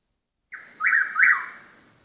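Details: Presumed mockingbird heard every night around 2 AM: after a brief soft onset, two loud slurred whistled notes in quick succession, each rising then falling, with a faint higher overtone, fading into quiet background.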